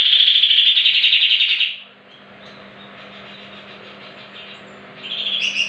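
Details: Greater green leafbird singing, used as a lure to make other leafbirds respond and sing hard: a loud, dense burst of rapid high twittering, then near quiet over a faint hum, then the high chatter starts again.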